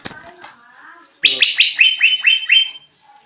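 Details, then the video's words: Greater green leafbird learning to sing: after a faint, murmuring start, seven loud, evenly spaced, descending slurred chips come in quick succession. "Cucak ijo belajar bunyi"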